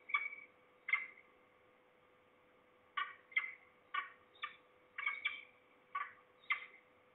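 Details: At least two falcons, perhaps a young bird or a parent, in Trzebież, Poland, in September 2019. Two harsh notes are followed by a pause, then spaced raspy calls resume roughly every half second.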